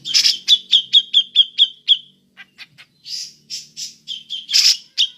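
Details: Cucak jenggot calling in the ngepik style, a call used to lure other birds: a fast series of sharp, ringing notes about seven in two seconds, then scattered short clicks and harsh rasping bursts mixed with more clipped notes.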